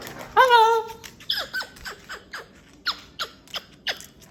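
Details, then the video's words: Indoor pet cockatoo giving one loud, harmonic, voice-like call, followed by a run of about nine short, sharp, downward clicking notes spaced roughly every third of a second. "Beep Beep Beep! Hello?!"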